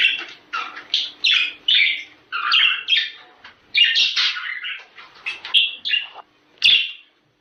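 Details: Budgerigar warbling to encourage mating: a steady series of short, scratchy, chirping notes, each rising and falling, bunched in quick groups with small pauses. A final loud squawk follows a brief gap.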